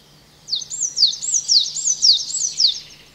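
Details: Coal tit at a garden bird pond in the Veluwe. Slower, squeaky, high phrases with looping, rising-and-falling notes, repeated about five times over two and a half seconds against a quiet background.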